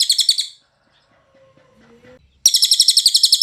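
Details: Cililin singing on a training recording for songbirds: a half-second burst of high, fast-pulsed trill, nearly two seconds of near silence with faint low tones, then the rapid chatter resumes.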